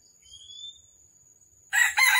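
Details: Red junglefowl heard during a morning trapping session in Vietnam, December 2021. Thin rising whistles from another bird come first. Then two loud, rasping, crow-like bursts close together end the recording.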